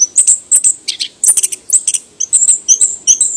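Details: Anis kembang, the chestnut-capped thrush of Southeast Asian forests: bursts of thin, very high chirps and squeaks in quick irregular groups, with short gaps between phrases.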